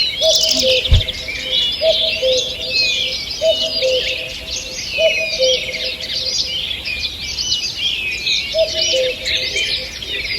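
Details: Birds in song on a forest morning, 2 June 2023. Many sharp, quick chirps and trills sound at once, a soft low coo repeats in the background, and there is a brief thump near the start.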